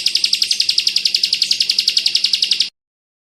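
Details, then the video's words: A short burst of Bar-winged prinia (ciblek kristal) song in the bren rapat ak 47 style for tutoring white-eyes: about ten high, buzzy chips in quick, even succession, then an abrupt stop and silence. "Masteran burung ciblek kristal bren rapat ak 47"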